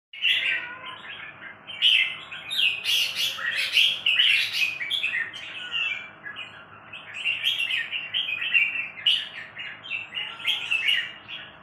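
Red-whiskered bulbul giving a lively, bubbly run of chirps and short whistled phrases, almost without a break, mid-to-high pitched; a faint low hum sits underneath.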